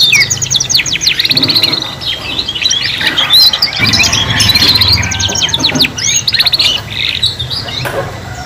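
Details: Trio of young canaries singing together for youngsters learning to sing: sustained rapid rattling trills and looping whistled notes overlap, loudness dipping briefly midway before the chorus swells again, with low hum behind.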